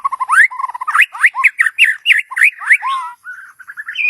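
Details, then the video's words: A White-rumped shama's song, used when trapping with a decoy to call in a mate. It is a lively series of short upward-swept whistles, about two per second, ending in a few softer clear notes. "เสียงนกบินหลาดง นกกางเขนป่า ใช้ต่อนกเรียกคู่เข้าเร็วมาก"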